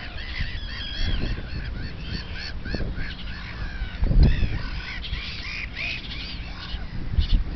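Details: Common Terns feeding small young at a seabird colony on Hayling Island Oysterbeds, 9 June 2010, give harsh, arching kee-arr calls that overlap in a busy chorus over steady low wind rumble.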